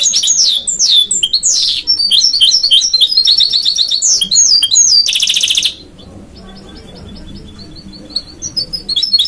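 A goldfinch–canary mule sings a fast, high twittering song of chirps, slurred notes and trills.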